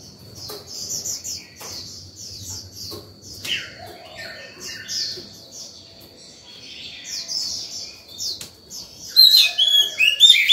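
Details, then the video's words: Oriental magpie-robin in breeding condition singing freely in the morning, its song used to lure wild birds and to train young birds: rapid, varied whistled and chattering phrases, bright high notes over a steady thin tone, ending in a louder burst. "Chòe than vào lửa hót sổng buổi sáng, gọi bổi, tập chim non hay!"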